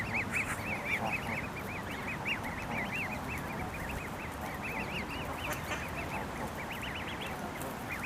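A crowd of Canada goose goslings gives high, thin, arched peeps, overlapping without pause over a low background rumble.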